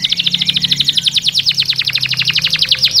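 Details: Canary song used to stimulate mating: a fast, even trill of bright repeated notes, around a dozen per second, sliding gently lower in pitch over three seconds.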